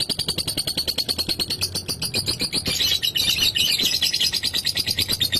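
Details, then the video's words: Lovebird ngekek, a long rapid chattering song meant to provoke rivals into singing, given as a harsh buzzy high trill of evenly pulsed notes that runs almost without pause and rises into a denser rasping burst midway. "PANDAI PANCING EMOSI LAWAN, Suara Burung Lovebird GACOR ini Bisa Bikin LB mu Cepat Bunyi Ngekek"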